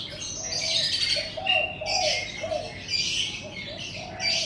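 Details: A morning bird chorus in front of a house: shrill twittering and short sharp whistles over a run of soft, low cooing notes repeated about twice a second.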